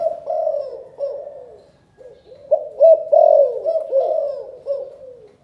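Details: Spotted dove from Can Tho, Vietnam, cooing in the 'chụp chụp ô' calling style: soft, throaty hooted notes strung together, louder in the middle, then fading.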